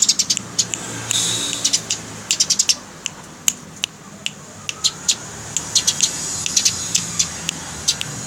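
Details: House sparrow chirping rapidly, recorded as master material for training songbirds: short, sharp, high chirps repeated irregularly about twice a second, some in quick doubles, over a faint steady low hum.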